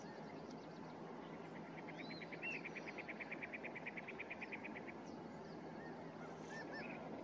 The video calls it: Cactus Wrens Talking